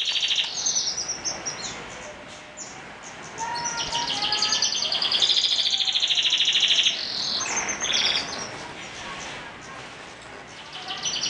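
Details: Canary singing in the morning: bright high trills and rolling twittered phrases, loudest and most continuous in the middle stretch, with quieter gaps of soft chirps before and after.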